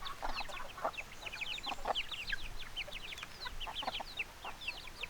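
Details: Backyard chickens heard as a busy chorus of short clucks and chirping notes, many birds overlapping, with steady background noise.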